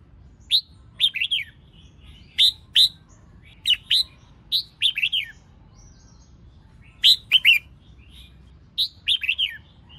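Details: Female red-whiskered bulbul singing to stimulate males: short clusters of sharp, descending whistled notes repeated every second or so, separated by silent gaps.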